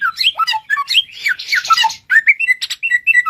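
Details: Bushlark, said to have 1001 original sounds, mixing harsh squawky notes and a buzzy rasp with rich downslurred whistles and quick chirps in a lively, varied phrase.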